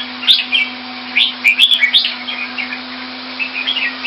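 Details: Caged red-whiskered bulbul kept in Singapore in Thai fashion, February 2018, giving a few loud slurred whistled phrases with sharp clicks, then softer warbles, above a constant low hum.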